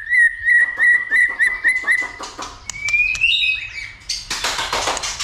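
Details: White-rumped shama, recorded to provoke shamas into singing and fighting: a quick run of clear, evenly spaced notes, then a rising whistle and a harsh, scratchy burst.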